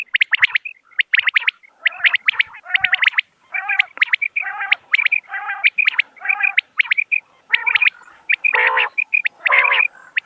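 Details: Common quail giving clear, sharp, liquid notes in short bursts of two to four, mixed with lower nasal, growling sounds at regular gaps. Calls overlap densely throughout, with no other sounds.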